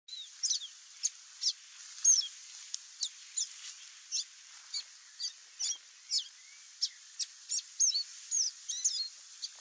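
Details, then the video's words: Wild chestnut seedeater singing free in nature: a steady series of short, high, sharp whistled notes and quick slurred phrases, roughly two to three per second, over a quiet background. "CANTO do CABOCLINHO-DE-CHAPÉU-CINZENTO livre na natureza (SPOROPHILA CINNAMOMEA) CHESTNUT SEEDEATER"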